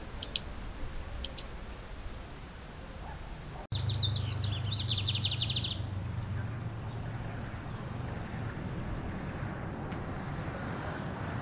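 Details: Lined seedeater (bigodinho) of Brazil singing in the wild in its 'metralhando' style. After a few faint ticks, a fast, high machine-gun series of clipped notes runs for about two seconds. A low hum persists throughout.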